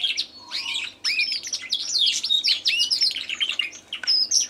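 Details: Recently bought caged canary singing in competition with a Tui in the background. Fast, varied whistled and trilled notes sweep up and down in quick succession, with brief pauses between phrases.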